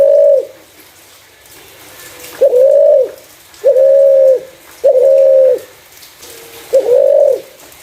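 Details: Spotted dove calling clearly to attract other doves, five sustained, level coos of similar length, the middle ones coming at steady intervals of about a second, against quiet background hiss.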